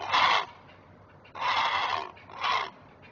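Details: Protective great blue heron parent at a livestream-watched nest on 19 May 2023 giving three short, harsh, croaking squawks, the middle one longest, over a faint steady low hum.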